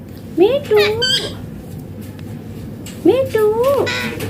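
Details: Indian Green Ringneck parrot uttering two matching speech-like phrases about two and a half seconds apart. Each is a quick rising syllable followed by a steady, level drawn-out tone. A quiet room murmur lies in between.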